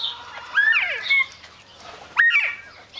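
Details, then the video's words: Mexican speckled quail giving two sharp rising whistled notes with harsh overtones, one at the start and one near the end, with quiet gaps between. "Mexican Speckled Quail"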